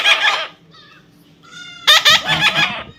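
A parrot talks in two harsh, raspy bursts of speech-like sound separated by a few thin, whistled tones, all within about three seconds.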